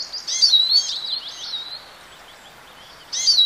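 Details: A European goldfinch gives a bright, rippling phrase of high twittering and sliding whistled notes lasting over a second, then pauses before starting another burst.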